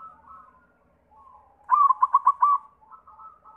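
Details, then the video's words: White zebra dove song used to prompt other doves to sing: gentle coos, then a loud burst of about six fast pulsed notes, fading into softer cooing. "Sura Perkutut pitih PAMCINGAN SEMUA JENIS PERKUTUT"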